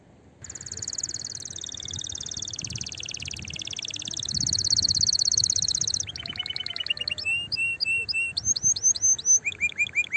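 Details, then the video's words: Excited canary song, played to stimulate other canaries to sing and to prepare females for mating. A long, high, rolling trill dips in the middle, then breaks into rapid runs of sharp chips and repeated slurred whistles. "تغريد طائر الكناري هائج نار , لتحفيز على الغناء"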